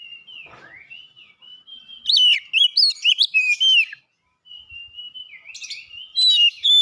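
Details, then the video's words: Prize-winning Oriental magpie-robin, first place at a singing contest: a soft drawn whistle, then a rapid series of loud rich whistled notes, a short pause, and another sweet whistled phrase building again. "Burung kacer mas Pentiel juara 1"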